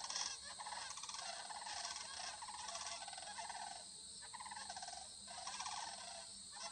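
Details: A flock of over 100 sandhill cranes gathered by a cut corn field near Lindsay, Ontario, on 25 September 2020, preening, interacting and feeding, keeps up a continuous chorus of rolling, rattling bugles, many birds overlapping with no pauses.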